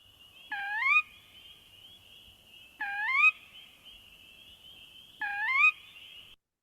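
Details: A territorial Sora gives three rising, two-part per-weep calls, which it gives any time of day and often in response to loud noises, one every two to three seconds, over a steady high insect-like hum.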